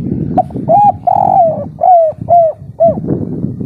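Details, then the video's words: Loud spotted dove of local kuk 3 style, fully in breeding condition: a quick note, an extended rolling coo and four slurred descending coos over steady low background rumble. "Derkuku kuk3 lokal gacor ngamuk suara besar - full birahi"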